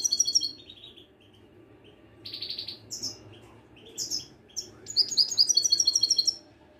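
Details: Moroccan Widani goldfinch doing the mchach: twittered notes and a buzzy rasp, isolated clicks, then a quick series of about ten bright ringing pips over steady background hum.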